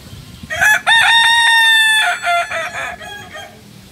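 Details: Ornamental Kukuak Balenggek rooster from Solok, West Sumatra, drying in the sun after a bath: a loud, clear crow with a short rising note, a long level held tone, then several stepped trailing syllables.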